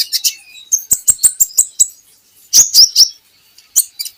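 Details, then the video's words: Javan hanging parrot singing in a recording used to train birds: a quick series of six high chirped notes, then three loud squeaky whistles and a few scattered chirps. "PANCINGAN KOLIBRI NINJA Bahan Agar Bunyi || MASTERAN Konin Agar Cepat Gacor"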